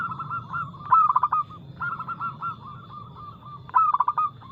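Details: Local zebra dove with a fast, loud, crystalline song meant to coax other doves into singing: a sharp rapid stutter of coos, a continuing sequence of softer even notes, and a final loud burst, over low-pitched hum.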